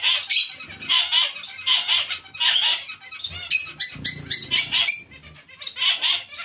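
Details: A colony of zebra finches housed among other small finches gives repeated nasal beeping calls, often in pairs, then a stretch of sharp clicking chatter and wing flapping before the beeps resume.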